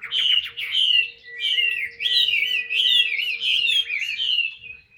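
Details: Chinese hwamei in a cage, singing ngũ trường cao cầu: a continuous flow of loud wavering whistles that rise and fall in quick loops, over a steady faint background hum.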